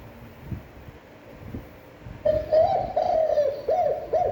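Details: Spotted dove cooing with a long, standard voice: a sustained low hooting note opens the phrase, followed by several short, bouncing coos near the end. Soft background noise comes before it.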